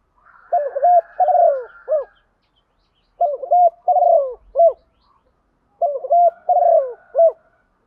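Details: Female spotted dove cooing in the rainy, stormy season, meant to stir males to call: three soft, hooting coo phrases, each a short run of notes with a rolling middle, repeating about every two and a half seconds.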